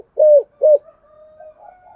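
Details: Spotted dove decoy cooing to lure others: two clear low rounded coos followed by a faint, drawn-out humming trail.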